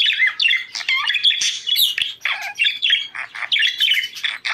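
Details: Budgerigar song played to bring birds into breeding condition; dense, continuous chatter of scratchy chirps, rising squeaks and rapid twitters with no gaps.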